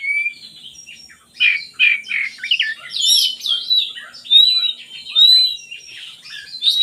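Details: Oriental magpie-robin song used to lure lazy birds into singing: rich, varied whistled and chattering phrases, rapid notes and slurred whistles, bursts separated by short pauses.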